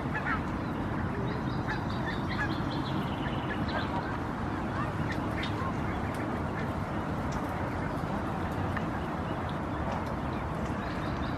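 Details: A flock of barnacle geese, including four nearly fledged young, walking toward the shore in Helsinki, Finland, in June 2016, gives short, yapping, overlapping barks over a steady low rumble of wind or water.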